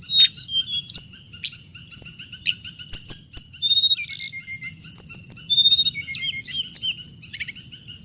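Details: High chirping song of the hồng hạnh bird: scattered sharp ticks, brief whistles and rapid twittering runs, denser in the second half, with a constant shrill hiss behind.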